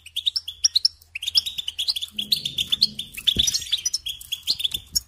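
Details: Goldfinch delivering quick, bell-like twitters and rolling trills in an unbroken, lively flow, with a faint low hum and one dull knock midway.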